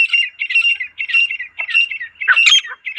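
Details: Wild female partridge giving its natural call: harsh, scratchy notes clustered in rapid bursts, repeated almost without pause for three seconds, with one louder, rougher squawk near the end.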